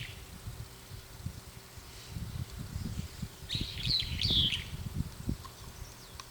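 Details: Brown-eared bulbul perched on an antenna, calling as if talking to companions; a short burst of high, squeaky, wavering notes in the middle, over a steady low rumble of background noise.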